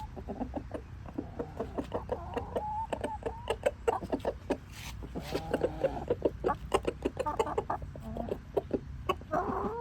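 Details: A rooster eating leftover bread gives a run of weird low, clucking and croaking notes, broken and irregular, with sharp clicks and pecking sounds throughout.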